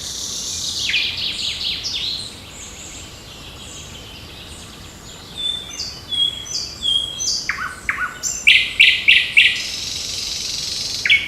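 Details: Several birds sing on a June 8 morning in a park and forest: dense high chirps and trills, then a run of quick downslurred notes and sharp repeated chips toward the end, over steady background hiss.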